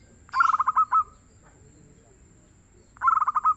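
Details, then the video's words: Local zebra dove, described as a keen singer with a soft, mellow voice, giving two cooing phrases about two and a half seconds apart: rapid stuttered coos that run into a few longer, rolling notes, over a quiet background. "SUARA BURUNG PERKUTUT LOKAL YANG GACOR DAN EMPUK"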